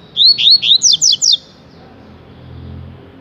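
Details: A coleiro, or rusty-collared seedeater, delivers one tui-tui phrase: six fast, clear whistled notes swooping downward, then silence with a soft low rumble behind.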